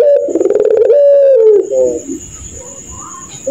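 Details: One laughing phrase from a puter pelung dove at night: stuttering pulses rise into a held coo that drifts downward and breaks into a short burr. A faint high whine follows, with soft background murmurs.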